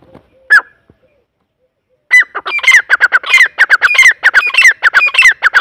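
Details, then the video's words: A single sharp note from a grey francolin, a short silence, then a loud, grating run of quickly repeated clipped notes, dense and rhythmic, continuing to the end. "Irani teetar ki awaz Teetar awaaz Teetar voice تیتر کی آواز Dakhni teetar ki awaz"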